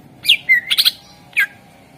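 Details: Greater green leafbird lure song for encouraging other birds to sing: a few sharp chirps, a gliding whistle and a quick double note, then a single bright chirp.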